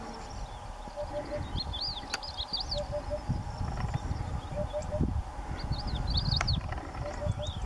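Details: A Eurasian hoopoe sings from the wall of a ruined house on a sunny day: soft, low hooted triplets, 'oop-oop-oop', repeated every second or two, over rumbling background noise and brighter chirps from another bird.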